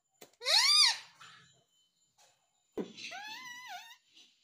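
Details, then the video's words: Talking parrot kept as a pet, repeating mummy and papa, gives a loud, rising-then-falling harmonic squawk, pauses, then a long wavering call that holds steady before dipping at the end. "Mummy boluga papa boluga _ Talking Parrot _ papa mummy bolta mitthu"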